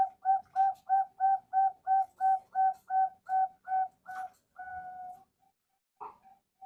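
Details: Captive male zebra dove (Bangkok perkutut) kept on a breeding farm in Bantul: eleven crisp, regular coo notes about three a second, then a sustained level coo, a short pause and a faint soft note, in a quiet small room.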